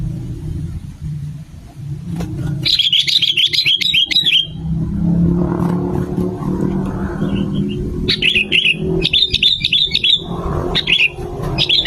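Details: Lure song of the sooty-headed bulbul: quick, rippling phrases of bright whistled notes, the first long one followed later by shorter bursts, set against a steady low rumble and murmuring background noise.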